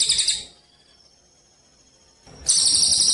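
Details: Contest-training song of a Javan munia: a short burst of thin, high, buzzy chatter, then near silence with a faint tone, then the rapid high twittering resumes.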